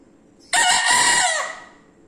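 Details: Bekisar chicken crowing loudly: a single crow about one second long that starts abruptly with a rough, buzzy burst, holds steady, then slides down and fades out, with a quiet background.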